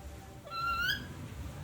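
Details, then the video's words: Pet chattering lory from Ternate talking in a girl's voice: a single drawn-out, rising, voice-like tonal sound with rich overtones, lasting under a second, in a quiet room. "Nuri Ternate bicara cewe"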